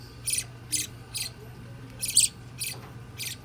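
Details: Nine-day-old baby budgerigar chick giving high, raspy chirps in short bursts, about two per second, six in all, with a soft low hum behind.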